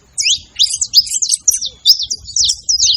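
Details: Saffron finch, male and female out in nature, delivering a brief burst of distinct high chirps and quick upslurred notes, each clearly separated, in otherwise quiet surroundings.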